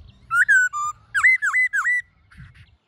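A laughingthrush sings loud, rich whistles: a falling slur, a level note, then three quick swooping, dipping-and-rising phrases over two seconds, against a quiet background.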